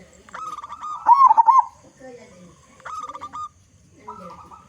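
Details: Zebra dove of local stock, loud and used to coax other zebra doves into song, utters a steady cooing note that breaks into a loud bubbling roll, followed by softer answering phrases.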